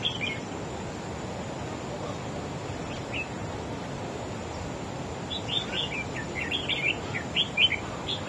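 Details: Wild-caught red-whiskered bulbul in a competitive song duel, trying to outsing its opponent. Scattered faint notes lead into a dense, lively sequence of loud warbled whistles in the last three seconds. Constant background hiss throughout.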